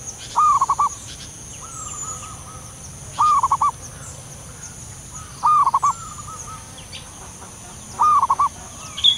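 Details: Wild local zebra dove giving a soft call: four mellow cooing phrases, each a short held note breaking into quick staccato pulses, roughly every two to three seconds, over a steady high insect drone.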